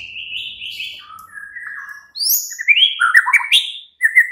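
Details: Night-time murai batu, the white-rumped shama, used to trigger a caged bird to reply: long clear whistled notes, then sliding phrases that climb and fall and end in high sharp chips, over a faint low hum.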